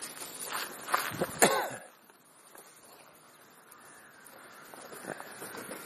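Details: Crow feeding between breakfast and lunch gives a burst of rough, throaty caws in the first two seconds, then quiet with one faint call near the end.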